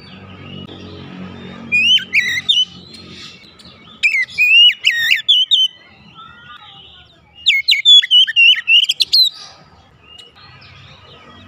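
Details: Song of a household Oriental magpie-robin, used to coax a caged bird that is reluctant to sing: three separate bursts of bright, varied whistles with quick rising and falling sweeps, separated by quiet gaps and faint background hum.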